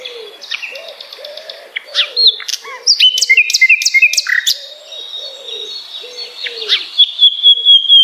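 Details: Common nightingale singing for songbird tutoring: rapid twittering, rising slurs and sharp staccato notes, ending in a long thin whistle, while soft low cooing calls repeat underneath throughout.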